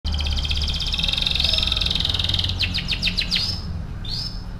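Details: Canary song used as a lure to stimulate other canaries to sing: a long rapid rattling trill at high pitch, then quick descending chirps and a rising whistle, over steady low background hum.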